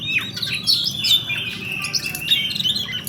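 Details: A fighting Oriental magpie-robin delivers rolling song, a rapid jumble of squeaky whistles, sharp chirps and short harsh notes with no pauses. A low droning background noise runs throughout.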